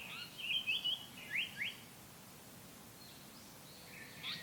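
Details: Japanese paradise flycatcher song phrase: a brisk cluster of three falling whistled slurs, then two louder downslurred notes, followed by a pause and a faint, rougher call at the close, with low background hiss.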